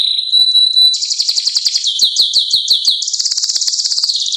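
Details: Canary holding a pure high whistle, then breaking into fast rolling trills and a series of looping chirped notes before a steady rapid rattle.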